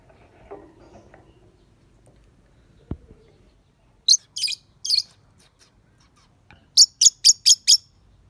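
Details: Pet lovebird, praised as pretty and good at singing, giving sharp high chirps in bursts: three harsh notes, a pause, then five quick evenly spaced chirps; a faint knock and low murmur come first.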